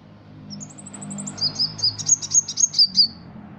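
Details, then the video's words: Ruby-cheeked sunbird, an Indonesian contest songbird, gives a thin rising series of soft high notes that builds into loud, rhythmic sharp chirps, about four per second. "Kolibri Ninja Gacor Isian Jangkrik Kapas Tembak Cililin"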